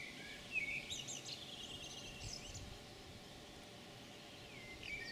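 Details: European pied flycatcher singing a brief, high, twittering phrase of quick sweet notes, then a short fragment after a pause, over steady hiss; 9 June 2019, excerpt from about 30 minutes of recording.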